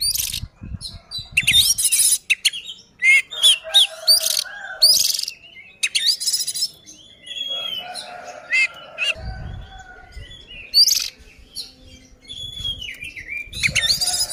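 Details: Oriental magpie-robin in fierce fighting song to provoke other birds: a long varied run of whistles, sharp chirps and loud harsh buzzy bursts with short pauses, occasional low thumps and a faint hum.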